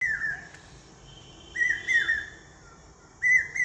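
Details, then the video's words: Asian koel giving clear whistled notes, mostly in close pairs, that swell and fall, with pauses of over a second between groups. "কোকিলের মধুর কণ্ঠস্বর original sound cuckoo"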